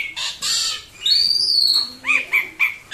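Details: Pet Asian pied starling in a cage, vocal whenever guests or strangers arrive; rough grating notes, then a long high whistle, followed by three short clipped whistled calls.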